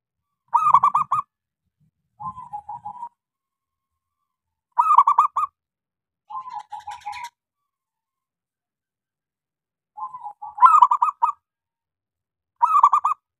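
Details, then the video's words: Zebra dove of local stock, a busy singer with a small voice, used as a lure for doves that will not sing: burry, bouncing coo phrases alternate with quieter, evenly spaced low notes, separated by long silences. "Suara pancingan Perkutut lokal gacor suara kecil"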